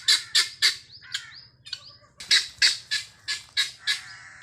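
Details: Helmeted guineafowl on a free-range farm, healthy birds: harsh, broadband, chattering notes in rapid series, about three to four per second, in two bursts separated by a brief pause with a few thin, rising squeaks.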